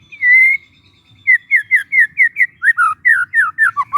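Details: Young forest white-rumped shama, used as a lure for training: one long level whistle followed by a steady chain of short whistled notes, each sliding downward, about four per second, becoming lower toward the end.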